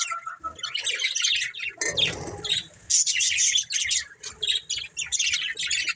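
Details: Budgerigars of a breeding pair chirping in quick scratchy bursts, a noisy rustle in the middle, then more high buzzy chatter and warbles.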